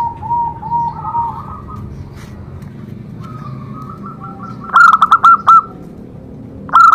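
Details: Zebra dove song used to stimulate other doves to sing. Soft, low and higher cooing phrases lead into a loud, rapid staccato burst of coos near the end. Another burst begins at the close.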